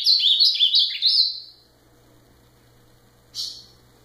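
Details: Ultramarine grosbeak delivering one rapid warbled phrase of about a second and a half, clear whistled notes stepping up and down, followed by silence and a single brief loud note near the end.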